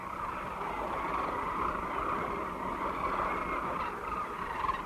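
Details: Dense chorus of a large sandhill crane flock resting at a Platte River stopover near Kearney, Nebraska, during spring migration: many rolling, rattling bugles overlapping into a steady mid-pitched roar with no clear gaps.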